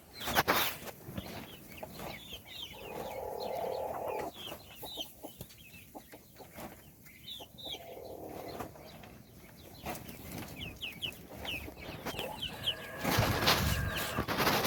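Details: Chicks being fed: scattered high, sliding peeps in bursts, partly covered by steady mid-pitched noise and loud rustling and banging, especially toward the end.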